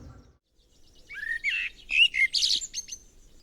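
A common blackbird sings a short, rich phrase of clear fluty notes, gliding upward and then breaking into higher squeaky twitters at the end.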